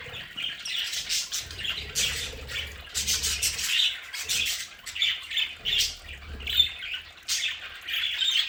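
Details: Pet budgerigars kept at home in their play area give a dense flock chatter of scratchy chirps and squawks in bursts about every second, over a faint low hum.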